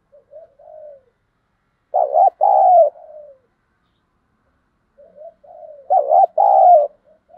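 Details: Spotted dove used as a decoy, cooing to provoke wild doves into fighting; two rounds of soft low coos, each building to two louder, rolling, wavering coo notes and ending in a drawn-out fading coo, with silence between rounds.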